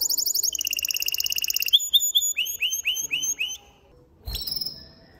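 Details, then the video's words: Aroused male canary in a cage sings to excite a female for mating. Rapid high trills shift into repeated upward-curving whistled notes, about eight in a row. A brief pause follows, then a dull knock and a faint short trill. "تغريد ذكر كناري هائج يريد تكسير القفص يحفز الأنثي لتزاوج"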